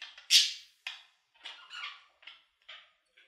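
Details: Budgerigar giving short squeaky chirps, one loud sharp note first and then softer clipped bursts about every half second.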